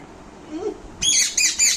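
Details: Young Indian ringneck parakeet, a pet scolding angrily: after a second of quiet room noise, three harsh, high screechy squawks follow in quick succession, each short and grating.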